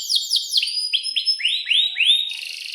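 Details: Canary in breeding condition singing a long 'gacor' song used to tutor young canaries; a series of sharp, downslurred chirps, each sweeping from high to lower pitch, repeated about every quarter second and ending in a buzzy note.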